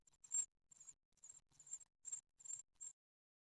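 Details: Great tit nestlings on their ninth day, being fed in the nest at Ostwald on 15 June 2020, caught by a nest webcam. Six short, very high-pitched begging bursts come over three seconds, with a faint rustle between them.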